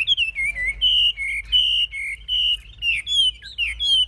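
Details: Caged hwamei displaying with raised wings and spread tail sings clear whistled notes, some level and some slurred, in short phrases separated by brief pauses.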